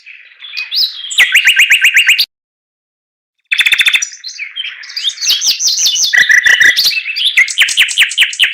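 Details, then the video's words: Varied warbling from a Chinese hwamei: rapid repeated-note phrases, a pause of over a second, then a run of mixed whistles and quick trills. "TIẾNG CHIM HOẠT MI HÓT LÍU LO"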